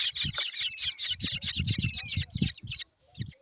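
Black drongo chicks keep up a harsh, raspy chorus of high begging calls, rapid and overlapping, with low rumbling handling noise underneath.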